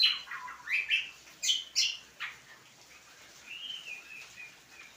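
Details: Singing greater green leafbird, known locally as cucak kombo, opens with a quick series of sharp high chirps, then shifts to softer, drawn-out whistled notes that rise and fall.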